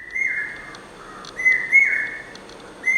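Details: A male common hawk-cuckoo (brain fever bird), a brood parasite, sings loud, shrill whistled notes around two kilohertz, each phrase sliding down then rising, repeated steadily in the breeding season; faint higher chirps, possibly females replying, and background hiss.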